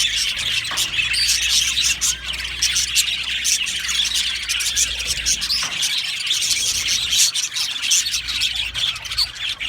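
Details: Many Australian budgies in an aviary colony keep up a continuous shrill warbling chatter, with brief louder chirps standing out now and then.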